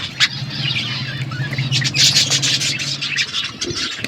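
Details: Winter morning chatter from pet budgerigars: a steady wash of high chirps and warbles over a low continuous hum in the background.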